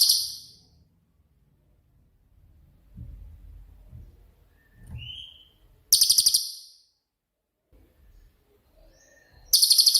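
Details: Cililin song of the 'tembakan' type, kept as a master for training songbirds such as magpie robins: short very high rapid trills opening and closing the passage, a thin whistled note between, and low background rumbles.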